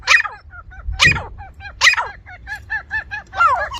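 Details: Grey francolin (teetar) chorus from a village setting: three strong, harsh, ringing calls. Quick, evenly spaced, down-slurred whistled notes follow them, with a low thump early on.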